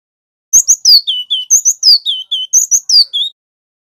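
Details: Male wingko-type cinereous tit from Java in 'ngerol' song, played to train and stimulate other birds: a single burst of about three seconds of loud, pure whistled notes, each phrase sliding down from high to lower pitch, repeated three times.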